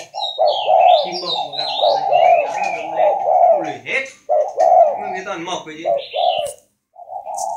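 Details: Captive spotted dove of the northern 'khách' voice type, cooing in low hollow phrases almost without pause while people talk over it and other small birds chirp and whistle in the background.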